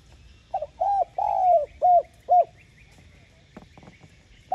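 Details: Cooing spotted dove used to call and excite wild doves: one phrase of a soft opening note, a long sliding coo, then two short hollow coos, followed by faint clicks and a quiet stretch.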